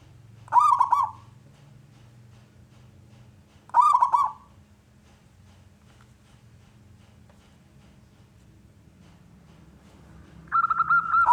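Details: Zebra dove of local wild stock, loud and constantly singing, used to get other doves calling: three short bubbly cooing bursts spaced far apart over a low background hum, the last more drawn out.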